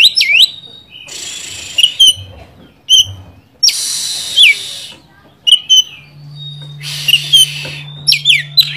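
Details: Oriental magpie-robin song used to provoke a rival bird: short sharp whistled phrases between bursts of broadband hiss, with a low steady hum in the second half.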